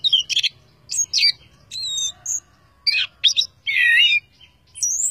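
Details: Orange-headed thrush in full, lively song with plenty of inserted phrases: short whistled slurs, squeaky chips and a long buzzy warble, each burst high-pitched and separated by brief silences, with a faint low hum beneath.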